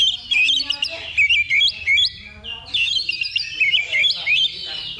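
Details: Singing of an Oriental magpie-robin in a level-2 contest simulation used for training before competing: loud bursts of quick, twisting whistles and chattering notes in short groups separated by brief gaps, over a busy chorus of birds.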